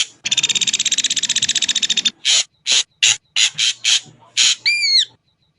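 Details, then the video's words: An Ashy drongo gives a two-second buzzy pulsed rattle, followed by several separate harsh rasping notes and a final rising-falling whistled arc. "suara jernih burung srigunting abu abu"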